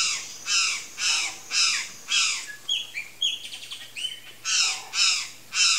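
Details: Harsh, buzzy notes from a palm tanager come about twice a second, broken midway by a quick burst of squeaky, varied chips before the steady buzzy series resumes.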